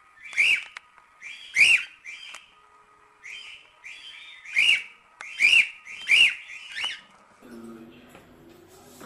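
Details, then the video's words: Cockatiel song used to teach singing: a run of clear, arched whistles in quick pairs and singles, each sharply rising and falling. Softer hums and a low murmur follow at the close. "Cantos e Assobios Para Calopsitas 🐦 Ensinar Calopsita Cantar"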